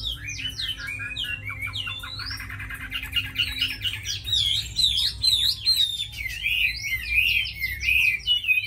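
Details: Tame, caged Chinese hwamei kept for fighting sings a busy medley: clear downslurred whistles, then rapid chattering notes and looping warbled phrases repeated several times a second, over a low hum.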